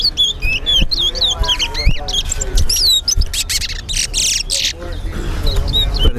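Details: Chestnut-bellied seed finch, called towa towa, in a Linden, Guyana bird club whistling contest between two birds: fast bursts of high, hooked whistles and short trills, then scattered notes amid spoken counting, music and crowd noise.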